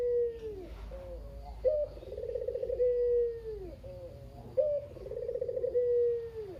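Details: Chatty local Barbary dove (kugeru) kept at a parents' home, surviving half of a pair, used to coax quiet doves into calling; a falling coo tail, then two full coos with clipped openings, quivering rolls and long descending endings.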